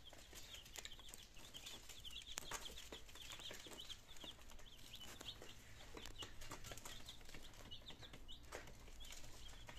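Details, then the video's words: Nineteen two-day-old chicks in Germany, September 2022, just beginning to feed and drink; a continuous chorus of thin, high overlapping peeps with frequent sharp clicks and tapping, over low steady background noise. "My Chicks in second Days - Meine Küken in der zweite Tag"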